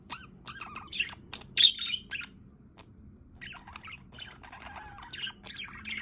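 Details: Softer budgerigar twittering in an aviary beside a solar water fountain, with one loud squawk early on and then quiet, wavering chirps and warbles.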